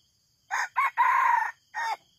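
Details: Red junglefowl, apparently at a trapping site, crows: two quick hoarse notes, a longer drawn-out middle note, then a short clipped ending, all in about a second and a half.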